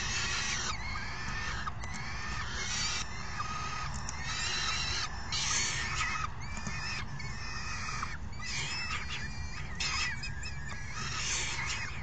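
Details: A brood of young falcons clamours during feeding on 3 June 2018, one parent bringing dinner and the other feeding the chicks; coarse, screeching bursts of about a second each repeat with brief gaps over persistent low background noise.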